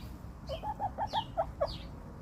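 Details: Chicken in a barn: a quick run of short, mid-pitched clucks, about six notes in under two seconds. A few higher chirps overlap them against a steady low background hum.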